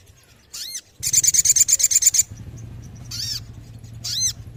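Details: Sooty-headed bulbul in lively song, used as therapy for birds lacking drive: an arched ringing note, then a fast rasping series of about a dozen pulses, followed by two more separate arched notes over a low steady hum.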